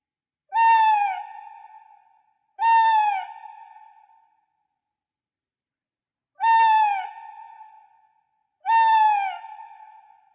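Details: An owl hoots in two pairs of prolonged, slightly falling notes, each pair two seconds apart with a pause of about four seconds between pairs; notes ring and fade slowly against silence.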